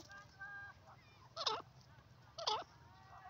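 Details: Teetar, or francolin, gives two harsh, ringing notes about a second apart, preceded by faint higher whistled tones in a quiet setting.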